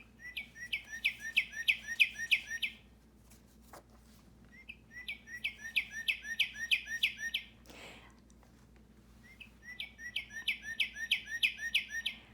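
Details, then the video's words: A Northern Cardinal sings three bursts of eight or nine quick, clear, down-slurred whistles, a steady 'birdie, birdie, birdie', over a faint low hum. "I kind of remember this one because it sounds like he's saying Birdie, birdie, birdie, birdie, birdie."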